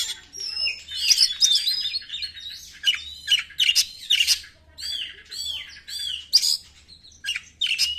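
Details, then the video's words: Lure song of a white-rumped shama: a long run of arched whistled notes, rising and falling, mixed with sharp chips and rattles, fast and varied throughout. "PANCINGAN SUARA BURUNG KACER"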